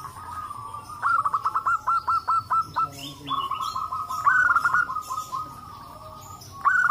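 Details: Local zebra doves calling back and forth in a group chorus meant to set other doves calling; loud pulsed coo phrases in quick, even beats, then a long rolling trill from another bird.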